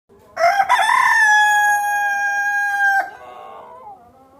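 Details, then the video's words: Chicken giving a single loud, drawn-out crow lasting about two and a half seconds, a harsh rising start settling into a steady nasal tone that breaks off abruptly, followed by a faint trailing note. "Hen voice"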